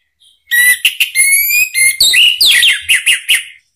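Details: Orange-headed thrush song as a lure: a sustained, loud run of tonal whistles with strong overtones, then fast swooping and repeated slurred notes lasting about three seconds.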